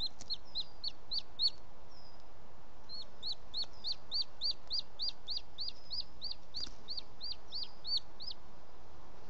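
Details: Evening nest visit by a male booted eagle bringing prey, Els Ports Natural Park, 18 June 2017 at 20:09: five quick high whistles, a pause, then a long run of about seventeen sharp repeated notes.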